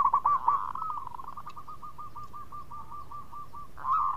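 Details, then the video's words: Lively local zebra dove (perkutut) cooing as a lure for other doves to answer: opening bubbling coos run into an even string of short, soft repeated notes about four per second, then another louder coo. "Pancingan Perkutut Lokal Gacor Suara Bekur Cepat Nyaut"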